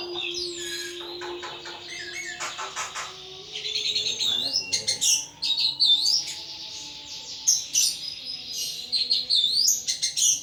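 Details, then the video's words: Kept thrush singing in full ngeplong flow: a long, varied run of rapid twittering, trills and rising and falling whistled notes, fast and nonstop, with a faint low hum early on. "Burung Anis "Ronggeng" Ngeplong Mabok berat"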